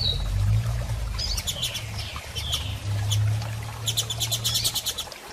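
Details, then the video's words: A female double-collared seedeater solicits mating with a few high thin calls and slurred notes. Fluttering clicks come in bursts, over a constant low droning background. "Fêmea de Coleiro Piando e Fogosa e Pedindo Gala!!"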